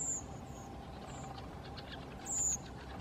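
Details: Common kingfisher: two sharp, very high, thin whistled calls, a short one at the start and a longer, louder one near the end, with fainter whistles between, over a steady low rumble.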